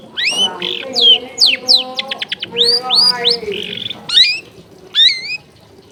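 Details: Varied long-tailed shrike song for training other shrikes, full of mimicry: sweeping whistles, quick repeated high clicks, and clear rising-falling whistled phrases, loud and close.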